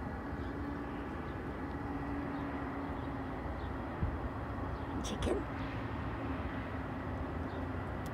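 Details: Low continuous traffic rumble with a faint engine drone and a brief knock near the middle, but no animal call.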